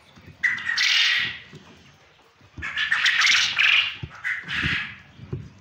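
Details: Farmed male quail from Punjab, Pakistan, calling in loud rasping bursts, one long burst then several shorter grating phrases in quick succession, with faint knocking background noise.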